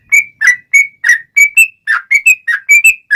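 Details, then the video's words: Sooty-headed bulbul in fighting song, a long rolling run of bright whistled notes, each sliding down or flicking up, given in quick succession with almost no pauses. "Trucukan Gacor Tarung ROPEL PANJANG || cocok buat pancingan trucukan agar bunyi"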